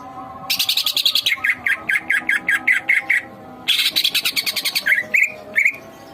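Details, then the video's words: Collared kingfisher, a kept bird in full agitated mood, fed two crickets in the morning and two in the evening. It gives a loud harsh buzzy rattle of fast notes, then a string of sharp repeated kek notes, a second rattle, and a few final shrill notes. "Emosi Full TENGKEK Buto"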